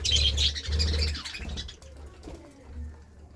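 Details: Budgies eating seeds and vegetables, giving a quick burst of bright twittering chirps at the start that fade into softer scattered notes, over a low rumble and faint pecking.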